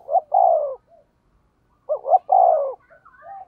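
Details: Decoy spotted dove, 'thổ' voice, 'thúc gù' delivery: two phrases, each a quick stuttered note followed by a long, falling, mellow coo, with faint soft murmurs after each phrase.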